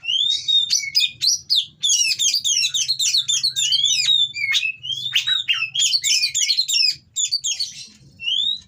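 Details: Oriental magpie-robin in breeding condition, caged, giving a long stretch of coarse song meant to rile rival birds; continuous fast, varied whistles, chirps and harsh notes with brief pauses, ending on a clear whistle.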